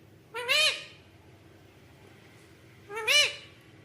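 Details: Indoor pet parrot, said to be asking its mother for roti, gives two drawn-out rising-then-falling harmonic calls about two and a half seconds apart, with a steady low background hum.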